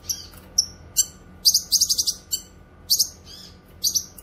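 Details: A cucak kinoy, or Grey-cheeked Bulbul, singing energetically for training songbirds and attracting wild birds: quick high chirps mixed with rapid rattling chatter in short groups, brief pauses separating each burst.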